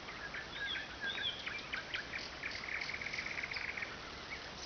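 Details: Nightingale's night song on the Oka, said to keep people from sleeping: a few clear whistled phrases, then fast repeated chirping trills, fairly faint against a constant hiss of background noise.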